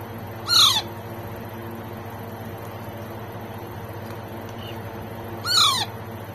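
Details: Baby Alexandrine parakeet during a feeding: two harsh, squawky calls sweeping steeply downward, about five seconds apart, over a steady low electrical hum.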